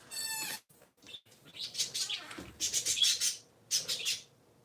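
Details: Indoor chattering from three pet parakeets on a Sunday morning: an opening buzzy note, then a dense burst of overlapping sharp chirps and a final short flurry, with low background hum.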